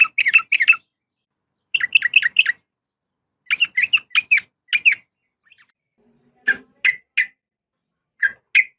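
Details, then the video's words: Female sooty-headed bulbul calling a male, sharp slurred chirps in short groups of three to five, then sparser single notes spaced about half a second apart toward the end. "suara trucukan betina memanggil jantan"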